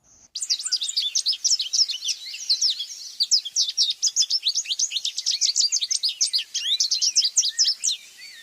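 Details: American goldfinch (Spinus tristis), a bird of old fields, shrubby areas and hedgerows, sings a long, rambling run of high, quick twitters and sweet chirps without pause for several seconds; a less typical, less varied song than usual.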